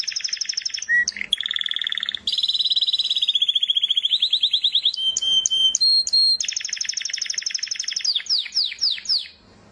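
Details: A canary's continuous song moves from rapid buzzy rattles into a long rolling trill, then brief pure whistled notes and a closing series of quick falling slurs.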